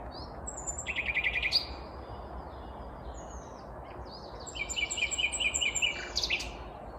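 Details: Vagrant Common Nightingale singing heartily but unseen, Kvarnbo suburb of Uppsala, Sweden, morning of 19 May 2021; a fast chattering trill, a pause, then a whistled run and another rapid repeated series.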